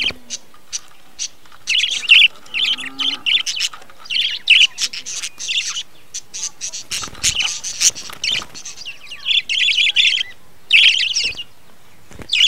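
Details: A breeding colony of budgies keeps up busy chattering, repeated bursts of buzzy warbled chirps through the recording, plus some clicks and rustling.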